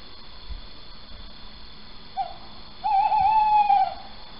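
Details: Male little owl at Sprundel, calling at 01:08 on 4 January 2020: a short clipped note, then after a gap a long, quavering, even-pitched hoot of about one second, against faint low rumble.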